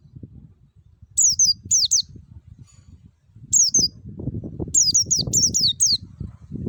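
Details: Clear wild white-eye lure song used to make caged white-eyes sing: paired high, down-slurred squeaky notes, then a longer run of rapid falling notes, against a steady low background rumble.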